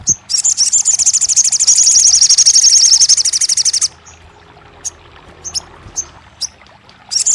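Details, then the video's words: Crested jay song used as therapy for birds that have stopped singing: a sustained, very rapid, high mechanical rattle of nearly four seconds, followed by scattered single sharp high ticks. "TERAPI RAJANYA SOGON MACET BUNYI | 1 Jam Langsung Buka Patuk & Nyahut!"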